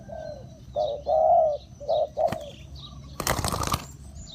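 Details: Decoy spotted dove calling to lure wild birds: a few mid-pitched coos, one long and drawn out, broken by a loud rustling burst, with faint higher bird notes around.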